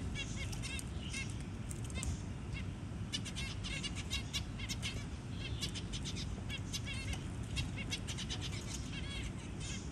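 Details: Zebra finch feeding its newly hatched tiny baby; busy rapid series of short, harmonic, slightly nasal chirps, often in quick runs of three to five, with brief pauses, against a steady deep background hum.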